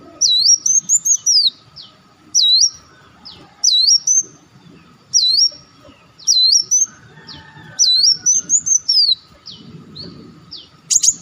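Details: Olive-backed sunbird calls used as a lure: six or so dipping, looping high whistles with short chip notes, repeated every one to two seconds, ending in a quick buzz.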